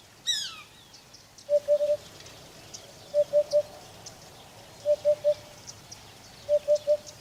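Eurasian hoopoe giving its soft, low hollow hoots in triplets, 'oop-oop-oop', repeated about every one and a half seconds; a brief higher bird twitter opens.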